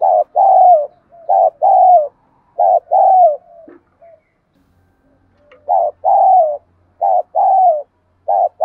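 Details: Spotted dove used as a decoy, calling wild doves in the đồng gù đấu thúc style: repeated two-part coos, short then long and falling, with a pause and a faint knock before the series continues.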